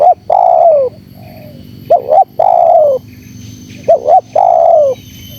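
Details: Aggressive spotted dove cooing meant to rouse wild doves, with a long falling coo, a softer short coo, then two sets of a bouncy double note leading into a drawn-out descending coo.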